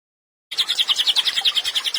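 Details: Cililin singing actively, offered as a training recording for songbirds: after a brief silence, a fast run of sharp, high chirps repeated about three to four times per second, bright and steady.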